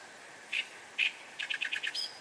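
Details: Reed warbler roughly 8 m away: two loud harsh chack notes, then a quick run of five scratchy chirps and a thin whistled ending.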